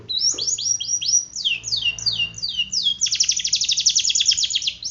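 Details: Long-rolling gacor canary used as a training song, with a series of descending whistled sweeps followed by a rapid, even, high trilled roll.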